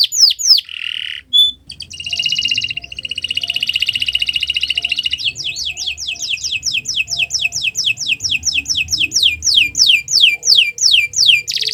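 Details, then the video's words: Canary singing a long, continuous song for use as a training model for other birds: dense trills around the upper register, a buzzy rolled section, then a run of rapid repeated rising-falling whistled notes. "Kicau Burung Kenari 179 II LUAR BIASA GACOR PANJANG Cocok untuk Masteran"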